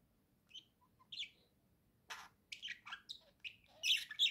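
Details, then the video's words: Pet budgerigar chattering on a swing: soft scattered chirps that build into a busier run of buzzy squeaks and bright trills, with a person speaking just afterwards. "Волнистые попугайчики Гоша и Ксюша.Гоша что то рассказывает сидя на качели"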